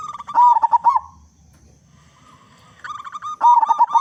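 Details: Local zebra dove with a big voice, its song a lure for other zebra doves; two fast, bubbling phrases of staccato coos, separated by a quiet pause and a nasal, harmonic-rich call.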